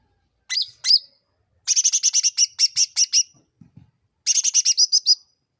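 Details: Sooty-headed bulbul used as a provoking lure: two drawn-out high chirps, then a fast chattering string of about twelve clipped bright notes, a few soft low taps, and another quick chattering burst.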